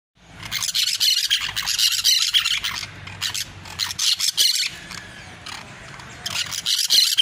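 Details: Parakeets singing: dense, raspy chattering in rapid bursts of several a second, with squawky high notes and short pauses, several birds seeming to overlap, and faint low hum underneath.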